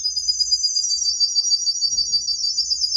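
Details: Tame canary holding a high, shimmering, fast-pulsed trill at steady pitch throughout, the notes rippling without a break.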